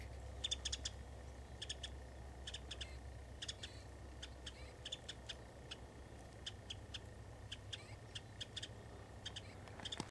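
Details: A Winter Wren at Hassayampa River Preserve, February 11, 2011, gives sharp, dry tick notes, mostly in quick pairs or triplets, repeated every second or so over a low steady rumble.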